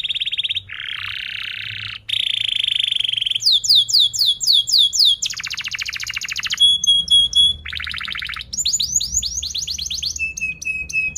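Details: Canary in a varied long song to tutor young canaries: buzzy rattles, fast rolls, repeated swooping chirps, pure high whistles and sharp trills, switching type every second or so.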